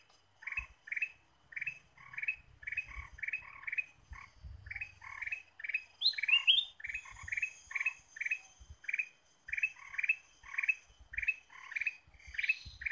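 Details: A steady, rapid series of bright chirped notes from a Ruby-throated bulbul in a lure recording, roughly two per second for thirteen seconds, broken once by a higher rising whistled flourish. A faint low thumping is in the background.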